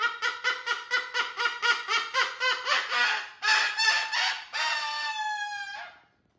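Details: Pet cockatoo dancing energetically on a TV stand indoors: loud, harsh, harmonic squawks repeated about four times a second, ending in a longer drawn-out screech, with a person cheering just before.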